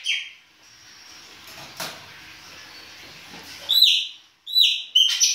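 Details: Chopi blackbird in winter, baianinho song style: a long near-quiet stretch with faint hiss, then three loud clear whistled notes near the end, each with a sharp start and a downward slide.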